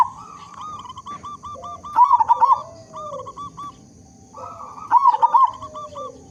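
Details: A local zebra dove with a big voice sings as a lure for other zebra doves. Stuttering clipped coo notes lead into a loud rolling warbled phrase, twice, with a lower slurred note after each.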